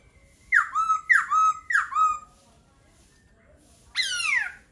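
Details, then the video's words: Three evenly spaced loud whistled notes, each dropping sharply then flattening, from a laughingthrush, followed after a pause by a single harsh, grating downward sweep. "Khướu hót hay."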